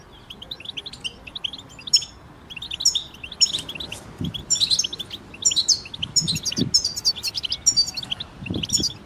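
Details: Goldfinches sing as a group, recorded to help moulting goldfinches start singing; busy high twittering phrases in bursts, overlapping liquid chirps and buzzy trills, with a few low thumps in the background.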